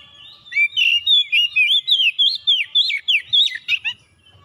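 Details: Kacer (Oriental magpie-robin) singing gacor in search of a rival: a quick, even run of about fifteen loud, looping whistled notes that twist up and down, tapering at the end.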